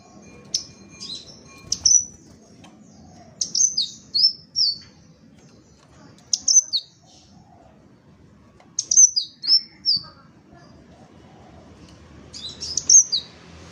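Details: Crimson sunbird, a kept cage bird, giving high, thin, sharply descending chirps in short clusters of two to four, separated by pauses of one to three seconds, over quiet low hum.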